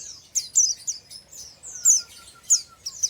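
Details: Untrained oriental white-eye singing ngeriwik chatter: rapid, high, sharp downslurred chirps tumbling in quick irregular bursts, with a faint steady thin whistle tone underneath partway through.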